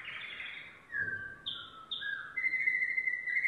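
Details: Yellow domestic canary singing a chain of tours: a descending roll, a high clear trill, lower rolled notes, then a steady rapid trill repeated quickly.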